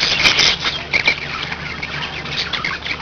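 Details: Household budgerigars give a burst of shrill chirps and squawks, then softer scattered twittering notes, with a low steady hum.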